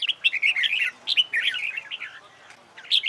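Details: Red-whiskered bulbul singing in contest style during training: a fast string of clear whistled and chattering notes, a short pause, then a new phrase begins.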